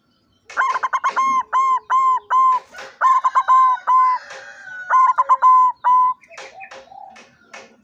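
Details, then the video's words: White barred zebra dove recorded on 16 September 2023, singing quick bursts of arched, ringing coo notes in rapid series. Short pauses break the bursts, and the song ends in sharp clipped notes. "perkutut putih lurik suara nya bikin nagih"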